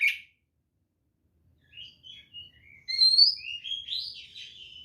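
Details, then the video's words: White-rumped shama singing its provoking fighting song: a sharp opening note, then soft scattered whistles building into louder bright sliding whistled phrases. "SUARA BURUNG kacer gacor NGEPLONG TARUNG ini paling AMPUH buat PANCINGAN kacer NYAUT EMOSI"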